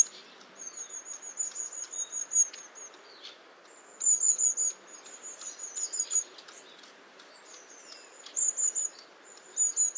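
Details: Long-tailed tit calling: high, thin, hissing notes run together in brief level bursts, some sharper and louder, over a steady background hiss.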